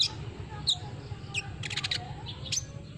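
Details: Olive-backed sunbird, a lure sound meant to spur a silent bird into singing: sharp, high, downslurred chirps at irregular intervals, with a brief buzzy burst midway over a steady low hum.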